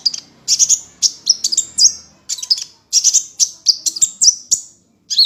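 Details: Gacor sunbird singing in the ngunci style, recorded as a master track for training songbirds. Very high, piercing chirps come in quick clusters of two to four, broken by short gaps, with the phrases sliding and stuttering.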